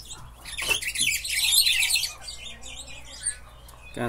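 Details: Caged batuqueiro, or Buffy-fronted seedeater, singing next to another cage; a quick, busy run of high chirps and warbled notes, loudest in the middle, with a few knocks and a voice briefly heard.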